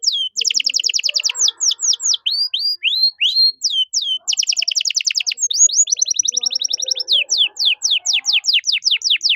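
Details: Canary song for tutoring caged songbirds such as magpie-robins, in a rich ornate style: rapid sweeping notes repeated several times a second, downslurred whistles and dense trills in changing series, loud and continuous throughout.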